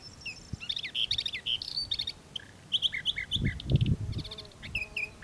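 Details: Eastern Orphean warbler singing near the shore of the Sea of Marmara at Karacabey Longoz forest, Bursa, Turkey: a busy run of rich, chirping and warbled notes, some repeated in quick bursts, with low wind or handling thumps midway.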